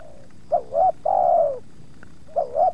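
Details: Spotted dove calling during luring while wild doves draw near, the second putting up some resistance: a faint note, paired bouncing coos, a long wavering falling coo, then another pair of bouncing notes.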